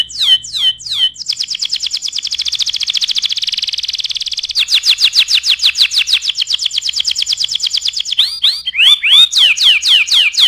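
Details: Canary singing persistently, a song meant for tutoring other birds. Opens with a few sweeping notes, then long, very fast, even rattling trills for several seconds, ending in louder swooping, chattering phrases.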